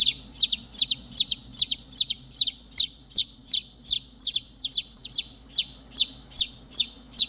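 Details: Three baby chicks that have lost their mother call for her: loud, high, descending peeps repeated steadily about two or three times a second, with a faint low hum beneath.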